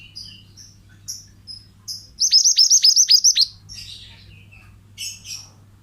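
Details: Pied bushchat, a male singing energetically, recorded as a master for teaching other caged birds: scattered high whistled chips, then a rapid run of about eight piercing, down-sweeping notes, with a steady low hum in the background.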